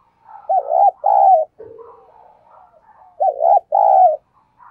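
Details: Spotted dove kept as a lure bird, giving its thúc and cooing calls to attract wild doves: two loud paired coos, a short hooked note and then a longer held one, repeated after a quieter murmuring stretch.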